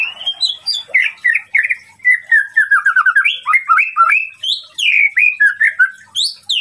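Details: Rapid, chattering white-rumped shama song intended to anger a rival, with a long rolling series of short slurred notes climbing and dipping, closed by high sharp falling whistles.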